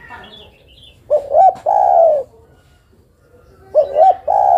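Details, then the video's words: Female derkuku calling for a male: a soft double hoot rises into a sustained low coo. The same phrase starts again about two and a half seconds later against a faint background. "Suara burung derkuku betina memanggil jantan"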